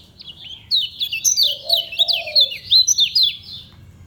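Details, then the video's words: Lemon-bellied white-eye, the kecial kuning of Lombok, kept in a cage, delivering ngejos-style song at an easy pace: loud, bright, high twitters and quick zigzag whistles pouring out nonstop, over one brief low dove coo. "SUARA KECIAL KUNING LOMBOK NGEJOS SELOW"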